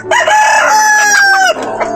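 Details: Lean-bodied fighting rooster, the flock's king, kept beside a rooftop garden with pigeons and chickens, gives one sustained, harmonic-rich crow lasting about a second and a half. It holds steady, then drops away at the end, followed by brief low clucks.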